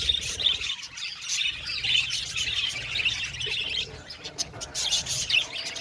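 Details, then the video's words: Budgerigars in an aviary colony chattering continuously: a dense, overlapping mix of warbling chirps and short squawks from many birds, with no pauses, plus a few sharper clicks. "Budgie Sounds for Lonely Budgies | Natural Relaxing Chirping Sounds"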